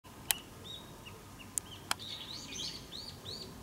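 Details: Possibly a brown-eared bulbul (owner unsure) calls loudly: quick, high, arching whistled notes that get busier toward the end, with three sharp clicks and a low background hum.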